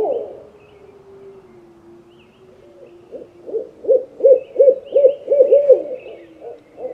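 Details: Owl, one of several owls gathered together; a low drawn-out tone gives way to a quickening series of short hoots, about three per second, growing louder toward the end.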